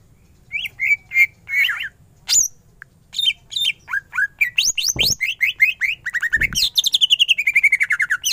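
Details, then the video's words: Greater green leafbird singing a loud, full 'gacor' song packed with 'ngentrok' phrases: varied whistled and buzzy notes, then fast rhythmic trills of repeated chips stepping down in pitch. "Cucak ijo gacor full tembakan ngentrok"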